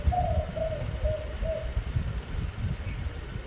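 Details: Spotted dove, likely a caged bird: four soft, hollow coos in quick succession, then silence, over low rumbling background noise and a faint high whine.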